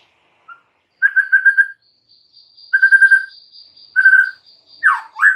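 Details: White-rumped shama "gacor" training song meant to get birds singing within minutes: quick bursts of rapid, rich repeated notes about a second apart over a long, thin high whistle, ending in loud swooping phrases.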